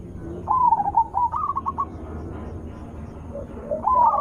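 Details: Zebra dove with a full, melodious voice, used as a lure for other zebra doves. A wavering trill runs straight into a series of clipped notes, then after a pause a new rolling phrase begins.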